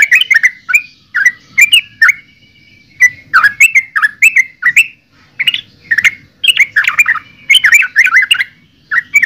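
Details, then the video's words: Trucukan, the yellow-vented bulbul, singing clusters of warbled, bubbly notes in short bursts separated by brief pauses, with a thin sustained whistle in between. "Suara Burung Trucukan"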